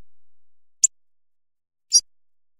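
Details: Two abrupt, piercing high ticks from a Hawfinch, roughly a second apart, the second slightly longer and harsher, with silence around them.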